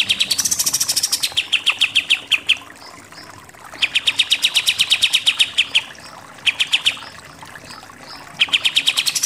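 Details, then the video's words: Pied triller song in the 'nembak-nembak' style, locally called kapas tembak: repeated bursts of fast staccato notes, each lasting one to two seconds and separated by short quiet gaps, the first starting higher and stepping down. "KAPAS TEMBAK SUPER NEMBAK-NEMBAK"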